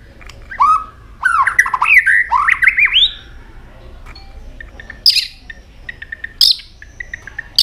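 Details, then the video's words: White-rumped shama, tail flicking continuously, changes voice through a varied song: a falling whistle, then a rapid string of swooping, rising whistled notes, followed by scattered harsh bursts and thin high notes. "chòe lửa hót nhiều giọng đảo giọng đập đuôi liên tục"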